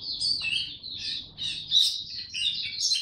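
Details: Young white-eye male practising its maturing Dagger-type song on 9 February 2022: a jumbled, high warbling stream of slurred notes over a faint low hum.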